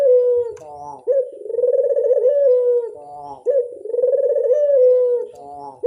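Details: Barbary dove (burung puter) giving a lure call: low, mellow, rolling coos with a throbbing tremolo, each phrase opening with a sharp note and ending in a drawn-out hum, repeated roughly every two and a half seconds, about three phrases.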